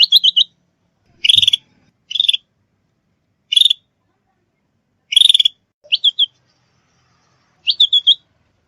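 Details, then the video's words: Sooty-headed bulbul lure call used for trapping and training: short, high, chattering bursts of rapid stuttered notes, some buzzy, separated by irregular silent gaps of about a second, with a clean background. "Suara pikat ampuh kutilang zebra gacor"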